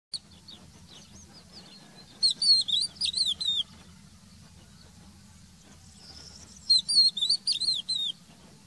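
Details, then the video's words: Crested lark (Galerida cristata), a loud-voiced bird whose song runs trii-lii-piyoo. Two bursts of high, clear whistled notes, sliding up and down in quick twisting phrases, each about one and a half seconds long and separated by a pause, over a steady low hum. "Tepeli Toygar Ötüşü"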